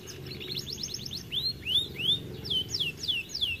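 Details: Plump canary said to be lazy about singing: a brief fast trill, then a series of loud arching whistled slurs repeated about three times per second, with low hum behind.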